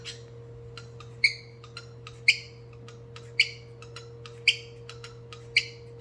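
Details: Cockatiel beatboxing indoors: a bright, squeaky chirp repeats about once a second, each one followed by soft clicking taps that keep a beat-like rhythm against a constant background hum.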